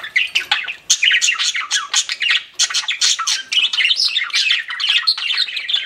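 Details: Pet budgies indoors chirping in a dense, continuous chatter of harsh squawks and bright warbled notes, many overlapping calls with brief gaps, no other sounds.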